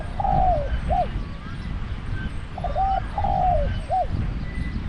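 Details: Spotted dove used as a trap decoy in Thailand, cooing twice: each phrase a short note, a long slurred coo sliding down, then a hooked final note, about three seconds apart over low ambient rumble.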